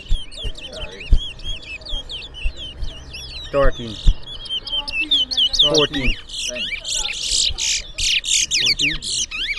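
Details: Two towa towa seed finches go head to head in a Berbice singing competition: fast, high chips and slurred whistles, building into dense buzzy trills toward the end, with low voices and counting beneath.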